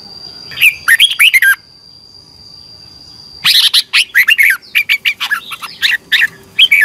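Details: Competition-singing red-whiskered bulbul, twisting-voice morning song for training birds: one short warbled phrase, a pause, then a long run of rapid, loud, varied whistled notes rising and dropping, over a faint steady high tone.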